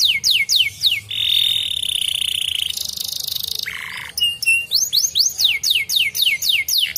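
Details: Canary song, played to stimulate canaries to sing: fast series of steep descending whistled sweeps, then a long buzzy trill, a higher rattling roll and a short lower note, before the rapid downward sweeps return, repeated about four times a second.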